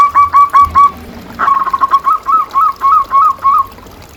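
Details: Local zebra dove singing as a master recording to stir quiet doves: a handful of distinct coo notes, a brief rapid rattle, then about eight evenly spaced, rounded cooing notes.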